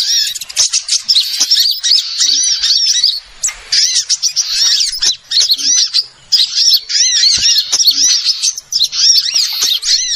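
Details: Lure recording of small birds used for trapping: a dense, busy chorus of high, sharp chirps and squeaky arched notes, overlapping continuously with a few brief gaps.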